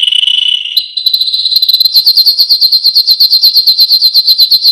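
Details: A yellow canary sings a brief lower warble, then a long rapid trill of sharp, evenly repeated high notes.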